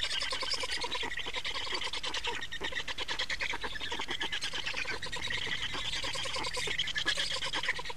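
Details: Black storks at a nest in Estonia during changeover and feeding, 28 May 2019 at 15:51: dense, harsh, rapidly pulsed rasping calls run unbroken through the whole stretch.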